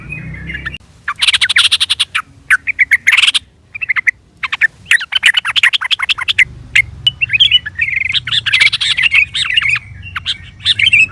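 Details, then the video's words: Sooty-headed bulbul lure call meant to provoke a reply: dense, chattering runs of sharp chirps and warbled notes in repeated bursts, some rapid and rattling, with short gaps and a low background hum. "PANGGILAN SUARA TRUCUKAN AMPUH BIKIN NYAUT"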